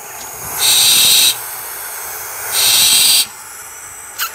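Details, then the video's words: Barn owl chicks, raised in care and later released to the wild, give harsh, breathy hissing screeches, two long bursts nearly two seconds apart, with a brief sharp click at the end. "Peçeli Baykuş Yavruları"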